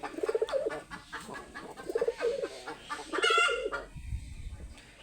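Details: A tame domestic pigeon with young, perched on a man's hand and shoulder and pecking at him, gives low, throaty coos in short repeated bursts while the man talks nearby.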